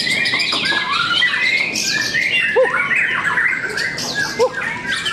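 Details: At a Cikeas singing contest, several white-rumped shamas sing together: sweeping whistled phrases and rattling bursts overlap, with two short lower squeaky notes standing out midway and near the end.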